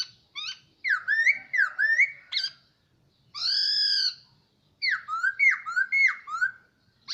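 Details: Year-long caged hwamei delivers loud varied whistled song: quick rising slurred notes, a long bright arched whistle, then another burst of rapid falling and rising whistles.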